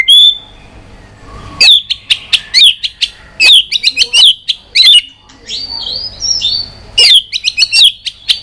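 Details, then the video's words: White-rumped shama provoked into fighting song: a brief whistle, then a run of sharp, high downslurred notes repeated roughly every half second, with a buzzy warbled passage midway before the sharp notes return. "kích Chòe Lửa hót đấu căng lửa"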